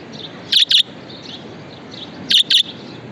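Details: Pet budgerigar giving two quick pairs of harsh, bright chirps about two seconds apart, each pair a double note, over a quiet hiss of room noise with faint soft chatter between.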